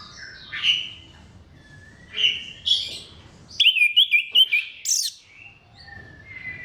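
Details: Orange-headed thrush song, used to spur other thrushes to sing. Scattered whistled notes give way to a rapid run of about eight sharp trilled notes midway, then softer sliding whistles close.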